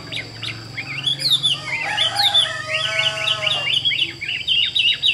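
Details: Chinese hwamei kept as a caged, mostly tame songbird, singing varied whistled phrases that slide up and down, with a brief buzzy harmonic note midway and quick chattering notes at the end.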